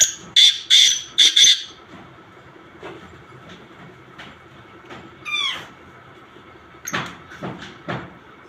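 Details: Black francolin giving mixed calls: a quick burst of four loud, harsh, rasping notes at the start, then quieter chirps and a rapid descending twitter from another bird, with a few more sharp notes near the end.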